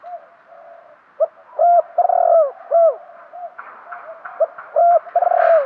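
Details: Decoy spotted dove calling to lure wild birds: a run of deep, mellow coos in quick succession, each tone arching and falling, some notes drawn out, with faint softer cooing underneath.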